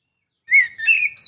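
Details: Short burst of Oriental magpie-robin song, used to encourage a quiet bird to sing: a bright whistled note, then a warbling, wavering phrase climbing into a high chirp.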